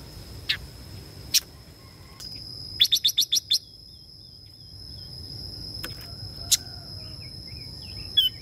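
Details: Female Red-billed Leiothrix calling to stimulate males: one tight burst of about six rapid, sharp chirps, with isolated clicks and faint soft notes around it, under a constant high-pitched whine and low background rumble.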